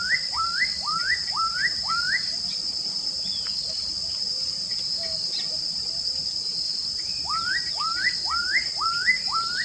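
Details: Black-capped donacobius singing a run of five loud, whistled, upslurred notes at about two per second. After a pause, a second matching run follows. A steady high insect drone continues throughout.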